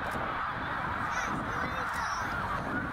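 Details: Snow geese during spring migration at Middle Creek, Pennsylvania, 2023, a flock of about eighty thousand heading back north; a dense, continuous wall of overlapping nasal calls with no gaps, with a few brighter calls standing out.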